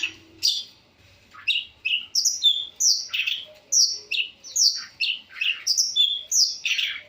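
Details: Long-tailed shrike singing in full voice with a varied repertoire: a rapid series of short, sharp, scratchy notes that jump between high and mid pitches. They come almost without pause after a quiet opening second, with no other clear sounds.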